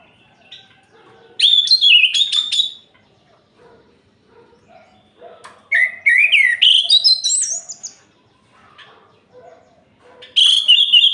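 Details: Night song of an orange-headed thrush meant to stir rival males: three loud bursts of varied whistles and rising, warbling phrases separated by quiet pauses, with a soft low hum in the background.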